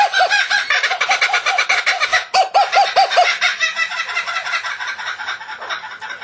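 A kookaburra's raucous laughing chorus: rapid, harsh, chuckling notes repeated several times a second, swelling and then fading into rougher cackles.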